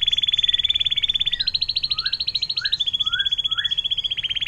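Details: Long water-fountain ('air mancuran') song of an Atlantic canary used as a tutor recording: continuous rapid trills shifting up and down between pitch levels, with soft rising chip notes repeated underneath about every half second.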